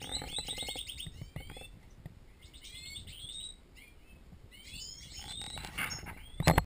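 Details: European goldfinches in an aviary twitter in quick, tinkling bursts of high, bright notes over a low background rumble.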